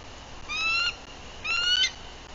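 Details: Two high, whistled alert calls about a second apart, the second ending in a rapid chatter, from a female bald eagle keeping guard at her nest in Bluff City, Tennessee, April 2023, on a nest camera.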